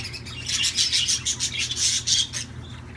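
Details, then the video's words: A budgerigar sings a loud, dense warble of rapid high, scratchy chirps that runs continuously and then stops abruptly. "تغريد طيور الحب"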